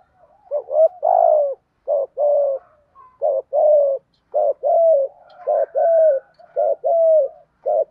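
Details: Decoy spotted dove cooing to provoke and lure wild doves: a steady run of low coos, each a short note followed by a longer, slightly falling coo, repeated about once a second with brief pauses.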